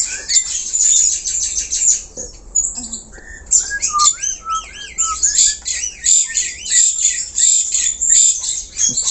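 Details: Black-collared starling in vigorous natural song, used as a lure for other birds: harsh rasping chatter, then a series of wavy, warbling whistles repeated in quick succession, ending in more grating bursts.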